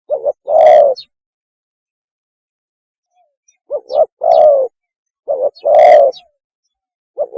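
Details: Tekukur, the spotted dove, giving its mating call as lure audio: three low cooing phrases, each a brief clipped note then a swelling hollow coo, separated by long quiet gaps.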